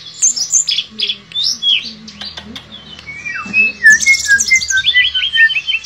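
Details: Bamboo shortwing (tledekan pring) in full, lively song with bursts and rolling phrases: a rapid medley of varied chirps, squeaky notes and short whistles, ending in a descending string of clear whistled notes repeated about twice a second.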